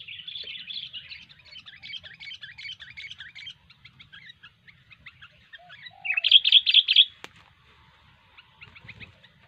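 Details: Sooty-headed bulbul singing gacor, a vigorous chattering style: dense run of short twittering notes for several seconds, a quiet pause, then a loud burst of four quick ringing notes, with softer chatter trailing after.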